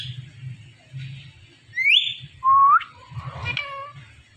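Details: Indian ringneck parakeet in a room speaking: a rising whistled call followed by a bright, level, nasal word-like note, then softer trailing syllables over a low background hum.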